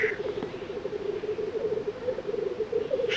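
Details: Black grouse males at an open lek in the Baikal reserve area, Buryatia, Russia, give a continuous low, bubbling rookooing, many overlapping in a steady chorus with brief higher hisses, amid constant fights between males.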